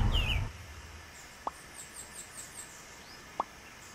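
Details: Wild female green-winged saltator in Pernambuco, northeastern Brazil, gives one loud, downslurred whistled note at the start. It is followed by faint, high, thin twittering notes and two sharp clicks over a quiet background.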